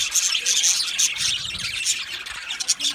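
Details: Male budgerigars in an aviary colony chirp on 8 December 2025, a rapid, bright jumble of tiny whistled squeaks and scratchy notes layered over one another.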